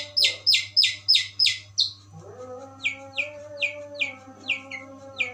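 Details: Long-tailed shrike singing in the "Tembakan Gereja" style: loud, raspy descending notes repeated rapidly, a brief break, then a softer series of similar falling notes at a steady pace, with a constant low hum behind.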